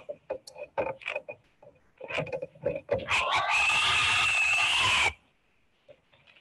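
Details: A great blue heron gives a harsh, rasping scream lasting about two seconds, defending its nest at 3 a.m. after a great horned owl swooped in and attacked the incubating heron; a man talks just before.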